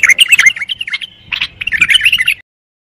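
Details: Brief bulbul song: two quick bursts of bubbly, chattering notes with a short gap between them, then silence.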